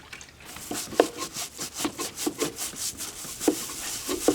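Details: Rhythmic scrubbing and rubbing strokes on a hard surface indoors, with occasional knocks and no animal calls.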